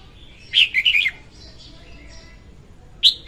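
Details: Lure recording of a female red-whiskered bulbul singing for bird trapping: a quick rolling phrase of bright slurred notes, a pause with soft distant chirps, then the sharp start of another phrase.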